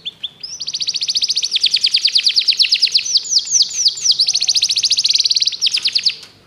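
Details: Canary song meant for training other canaries: a continuous run of rapid repeated notes, grouped into series that shift in speed and pitch, sung loudly and without pause for about six seconds.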